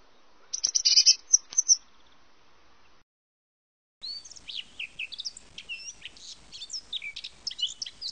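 A varied, rapid warble of high, clear notes and short twitters, typical of a Eurasian Blackcap, follows a brief burst of sharp chirps from another small bird.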